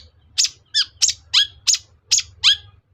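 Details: Seven quick, loud, raspy notes from a long-tailed shrike packed into three seconds, some dropping sharply at the end, a provocation sound to make other shrikes call back; light background hum.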